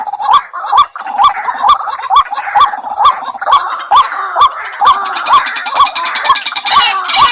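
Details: White-breasted waterhen calling as a lure. A monotonous series of short curved mid-pitched notes repeats around twice per second, accompanied by snapping clicks and a thick wash of higher, rougher calls toward the end.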